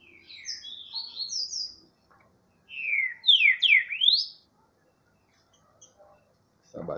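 Great thrush song: two bursts of clear, slurred whistles, rising and falling quickly, with the second phrase louder. A brief low thump at the end.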